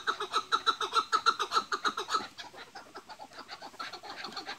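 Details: Kept chukar partridges in a calling contest: rival males answer each other with rapid, hoarse clucking chuk-chuk calls.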